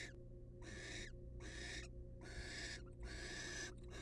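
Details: Wild female barn owl in a monitored nest box, excited by the male's presence; harsh, hissing rasping screeches about half a second long, repeated roughly every 0.7 seconds, over a steady low electrical hum.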